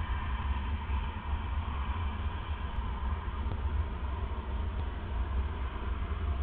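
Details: Only a low, steady rumble of background noise fills the night-time recording, with no animal calls.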